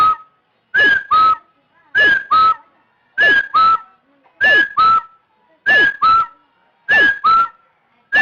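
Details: Partridge giving a rhythmic series of whistled double notes, each a falling-then-level first note and a flat second note, seven pairs spaced about 1.2 seconds apart, clipped and buzzy-edged from loudness.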